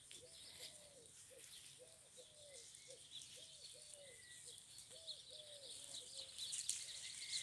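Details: Turtle dove, named by the recordist, cooing in soft, hollow, repeated phrases in a field with grazing lambs and brambles, 28 March 2020, over outdoor hiss and faint thin chirps of small birds.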